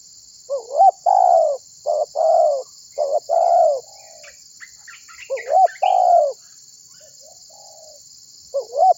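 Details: Spotted dove, a prolific calling bird used as a lure to prompt other birds to sing, giving low husky coos in paired phrases: a short rising note then a long falling coo, repeated, with faint chirps from other birds and a steady high hiss.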